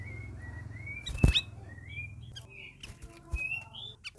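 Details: A caged group of red-whiskered bulbuls in their first week of care sings a steady line of clear whistled notes, rising at the end, with one loud thump and a low background hum.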